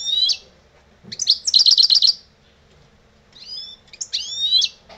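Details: Lebrijano song of an old European goldfinch: twittering, slurred high phrases, then a quick rattling trill, followed by more liquid twitters, in a quiet setting.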